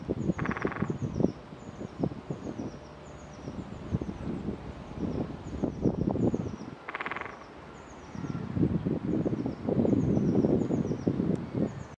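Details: Female great spotted woodpecker drumming at East Park, Hull: two brief rapid rolls about six seconds apart over a steady low rumble and faint high ticking; the bird was vocal and left calling 'kee, kee, kee'.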